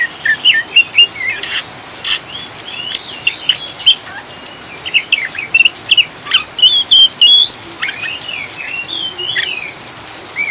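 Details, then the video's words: Oriental magpie-robin chattering song used as a lure for caged birds: short scattered whistled and chirped notes, some rising, others falling, with sharp clicks and clatter against a constant rain hiss. "Kacer ngriwik ngeplong‼️Pancingan suara air hujan dan kacer ngriwik ampuh untuk stabilkan burung"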